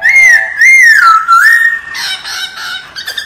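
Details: Laughingthrush singing a forest-type voice for training caged birds: looping whistled phrases that rise and dip, followed by rougher, buzzy chattering notes toward the end.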